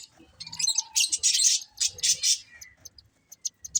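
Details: Breeding pair of pet budgies giving clusters of sharp, high chirps and buzzy chatter, fading to scattered single ticks toward the end.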